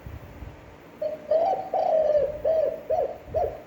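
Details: Spotted dove gives an attractive, long-breathed coo: a soft lead-in note swells into a drawn-out hoot, then three short, arched coos repeat at roughly half-second intervals.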